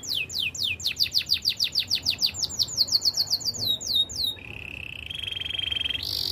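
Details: Belgian canary training song with a long run of rapid falling whistled notes gradually dropping in pitch, then a level buzzy held note and a brief higher trill.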